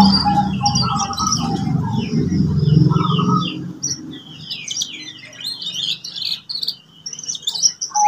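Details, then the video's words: Canary singing for young birds to learn song: varied high twittering phrases and short trills over a low rumbling background that fades after three seconds, leaving quick chirped notes and sweeps. "TERAPI SUARA KENARI PAUD WIKSAR BELAJAR NATA LAGU | CANARY SINGING"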